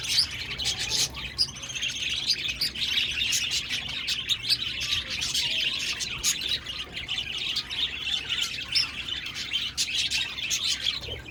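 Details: Budgerigars chirping, recorded 1 November 2023: a dense, continuous chatter of overlapping high chirps and warbles with frequent short broadband clicks and squawks, several birds calling at once with no pause.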